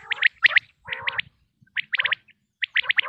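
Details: Pakistani common quail, known locally as batair, giving quick triplets of clipped high notes, each group followed by a lower buzzy purr, with pauses between bursts.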